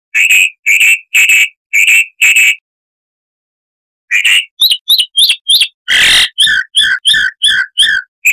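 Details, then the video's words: Chalk-browed mockingbird with a harsh voice, recorded as a tutor for cage birds: repeated gritty notes, a silence, then varied chattering phrases broken by a noisy rasp. "Masteran Burung Luar Negeri Suara Kasar - Chalk-browed Mockingbird (Mimus saturnin)"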